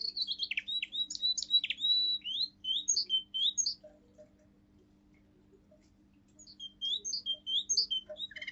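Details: A young male Russian singing canary, seven months old and from a pure song line, sings the forest tune: a dense run of high sliding whistles, several seconds of silence, then song resumes.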